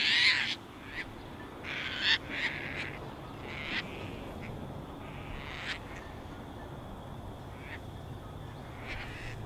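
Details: Caspian terns resting on a northern USA beach during spring migration while one brings a fish to a potential mate; harsh, raspy calls, loudest at the start, then scattered shorter rasps over low wind and surf rumble.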